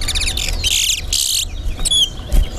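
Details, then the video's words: Chestnut-bellied seed finch (towa towa) singing in a whistling competition at Alligator Pond: loud bursts of bright, rapid whistled phrases, then thinner sliding notes, over heavy low rumble and crowd noise. "TOWA TOWA BIRD WHISTLING COMPETITION AT ALLIGATOR POND"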